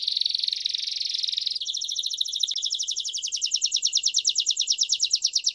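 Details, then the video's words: Timbrado canary singing as a model for training young birds: a dense, buzzy roll gives way to a clearer, louder pulsed trill of rapid repeated notes that grows stronger toward the end. "التغريد الأقوى للكناري لتعليم الفراخ THE BEST CANARY SINGING"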